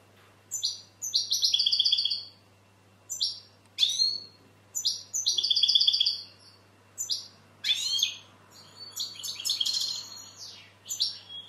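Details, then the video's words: Bursts of European goldfinch song, each a second or two long. They mix trilled tinkling notes with sharp downward slurs and become denser, chattering twitters toward the end. "Goldfinch bird singing the best sounds (chirping)Щегол поет / Τραγούδι καρδερίναςGoldfinch sjunger"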